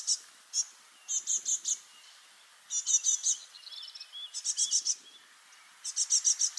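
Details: Freshly fledged great tit young, four playing together one spring morning in 2024 at Parc Izadia in Anglet, keeping contact: repeated high, rasping bursts of four to five notes, with softer thin notes between.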